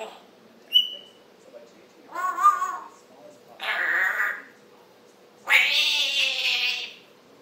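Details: African grey parrot morning chatter on July 26, 2021: a short clear whistle, then several drawn-out raspy, voice-like mutterings and a harsh noisy squawk, separated by quiet pauses in a small room.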